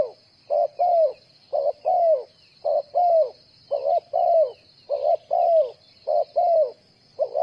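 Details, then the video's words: Spotted dove used to lure birds into traps, cooing in a quick regular series of short-long note pairs, the long note falling, with a steady high hissing drone throughout. "Bẫy cu gáy bằng mồi trồn"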